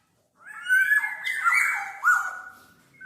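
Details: Black-naped oriole delivering a continuous raspy, nasal phrase after a moment of silence, several mewing downslurs run together over about two seconds.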